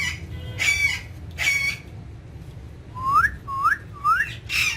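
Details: Green ringneck parrot, a pet talking in front of a mirror, giving three upward-sweeping whistled notes in quick succession after two longer, harsh, voice-like sounds, over steady low background hum.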